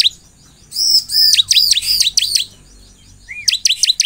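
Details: Bar-winged prinia in vigorous song meant to trigger responses from other prinias: arched, slurred high whistles run into sharp falling chips, then a quiet spell before a final quick burst of notes.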